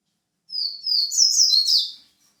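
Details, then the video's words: Seedeater, white-breasted type, singing a bright, high twittering phrase of sliding whistled notes and quick trills lasting about one and a half seconds, with a quiet background. "papa capim Peito branco"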